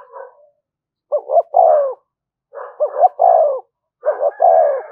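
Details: Spotted dove delivering thúc gù coos to stir decoy birds. Three steady phrases, each two quick rising notes then a longer descending coo, separated by short silences.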